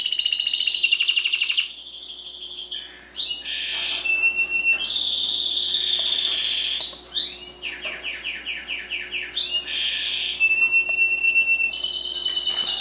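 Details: Timbrado canary, a pet singing breed, delivering a varied song: rapid rolled trills, upward-sweeping whistles, a run of descending slurred notes, and held high tones, changing phrase every second or two.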